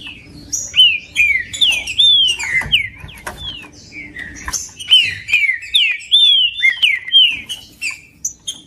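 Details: Green-winged saltator singing, used by breeders to warm up a cold bird: loud, clear whistled phrases that rise and then slide down, repeated over and over, with fainter high chirps overlapping.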